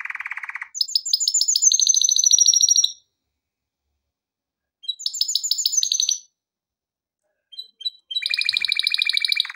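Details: Male canary singing for training: a low buzzy rattle, then a fast ringing trill of repeated notes, a silent gap, a shorter repeat of the trill, and a final rolling trill.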